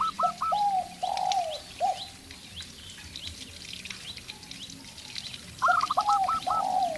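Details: Local zebra dove calling in an exchange with a spotted dove, used to lure the other bird into calling: short stepped, staccato cooing phrases, then a long pause, over a constant hiss of insects and background noise.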